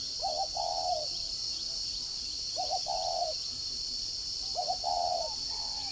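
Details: Caged decoy spotted dove with the "giọng còi" voice, Ba Vì district, Hanoi, Vietnam, gives repeated coos roughly every two seconds: a short doubled opening note followed by a sustained mellow note, against a constant high-pitched insect drone.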